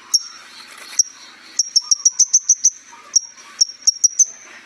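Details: Sunbird song of the kind used to train other birds: very high, thin ticking notes, some singly and some in quick runs of five to seven, set against a faint continuous high tone.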